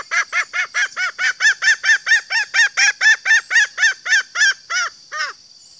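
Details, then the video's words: Female green junglefowl giving a call used to lure males: a rapid run of about seventeen short, hoarse, harmonic clucks, roughly two per second, slowing and ending with one longer note, over a steady high hiss. "Masteran suara betina ayam hutan hijau"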